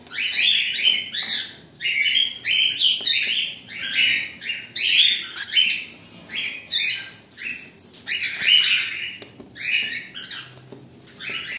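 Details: Cockatiels waiting, black and white birds together, giving repeated harsh chirps and squawky calls in dense overlapping bursts, several birds calling at once with brief pauses, faint background hiss.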